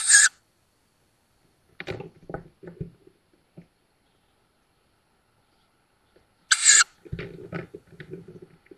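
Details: Tawny owl chicks at their nest in woods by Szokolya, Hungary, filmed by a live nest cam in May 2022: two harsh hissing shrieks about six seconds apart, separated by scratching and fluttering movement sounds.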